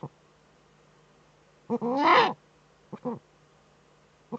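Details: Female Eurasian eagle-owl scratching in her breeding niche, nest webcam, northern Rhineland-Palatinate, Germany, 5 May 2013; one loud, harsh, hissing rasp lasting half a second, framed by a few short throaty clicks.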